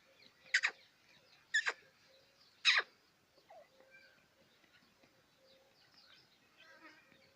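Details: Black quail kept in Pakistan, giving three loud sharp broadband calls in the first three seconds, followed by faint chirps and a low steady hum.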